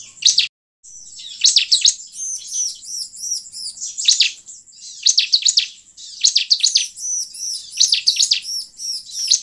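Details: A Bar-winged Prinia in full song sings a high, rapid, chattering song of sharp repeated notes in quick bursts, with no other sounds.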